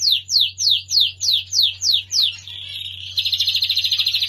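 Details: Lancashire canary, a large English breed, singing as a master song for training young canaries: a series of eight repeated downslurred high whistles, a brief steady buzzy note, then a fast high rattling trill, over low steady hum.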